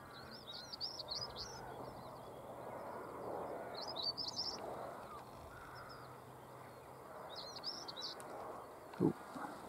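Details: Stonechat singing early on 22 March 2015 at 6:22 am on Cavenham Heath, Suffolk, UK: short scratchy, twittering phrases repeated about every three seconds, with quiet heathland background and a man speaking softly.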